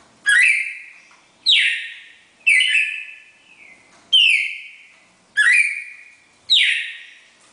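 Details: Red-crested cardinal pair singing in the classic four-note Bagé style, six bright whistled notes with abrupt attacks and drawn-out fading tails, spaced about one second apart, clean recording without background noise.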